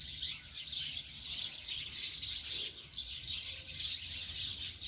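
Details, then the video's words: Several birds calling to a man for food: a dense, continuous chorus of high, thin chirps and twitters from many birds at once, overlapping without pause. "Birds calling my dad for food"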